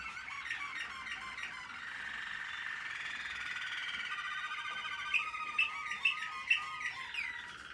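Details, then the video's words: American Singer canary in training, 2021: a continuous rich warbling song with rolling, harmonic-laden phrases, ending in four sharp, bright notes about half a second apart. "American singer canary"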